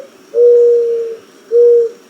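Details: Mourning dove (Zenaida macroura) song, usually given by the male and heard through most of the year: a long, low, hollow coo held nearly a second, then a shorter matching coo after a brief pause, with faint hiss behind.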